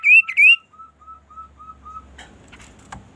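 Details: Quail (kaso kaso) call used to get other quails calling: two loud rising whistles, then a run of short, soft, even notes repeated about three times a second, with faint rustling after.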